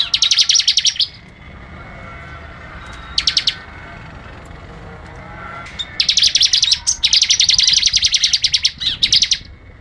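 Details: Bar-winged prinia song: loud, high, rapid buzzy trills of closely repeated notes in bursts, about one second at first, then long continuous runs after a pause, with a faint low background hum.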